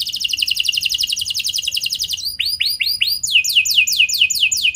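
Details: A canary's rich lure song, meant to get other canaries singing, opens with a long fast buzzy trill, then shifts to slower arching whistles and rapidly falling sweeps.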